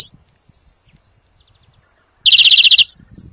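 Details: Greenfinch song intended for trapping and training birds: mostly quiet, then one loud half-second rolling trill, followed by faint background rustle.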